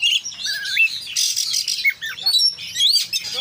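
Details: Energetic konslet song by an Oriental magpie-robin rich in isian phrases: a smoothly wavering whistle, then a scratchy burst and sweeping upslurred notes in quick alternation.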